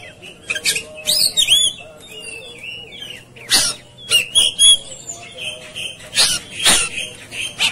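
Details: Oriental magpie-robin in raging, fighting 'tarung konslet' mood: loud whistled notes alternating with harsh broadband rasping bursts, short phrases separated by pauses of about a second, over a low steady hum.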